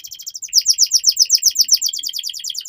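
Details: Young canary singing a long training song, a fast run of repeated sharp downslurred chirps, about seven per second, bright and high.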